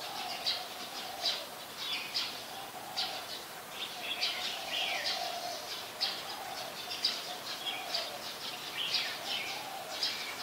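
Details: Streak-eared bulbul, Ubon Ratchathani, Thailand, 22 July 2022, very common resident; steady run of short, sharp high chirps and occasional downslurred notes over a faint, low, continuous hum, with other birds calling.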